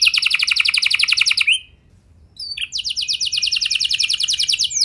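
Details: Canary singing a long roll to coax other canaries to join in: a rapid, even buzzy trill, a short silent gap, then another long, fast rattling roll of high notes.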